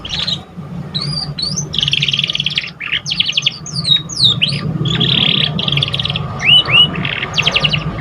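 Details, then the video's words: Juvenile canary practising its first song, played to prompt other canaries: dense buzzy trills alternating with sharp rising and falling whistled notes, nearly continuous over eight seconds above a faint low background hum. "Pancingan kenari paud baru belajar bunyi cocok buat rangsangan"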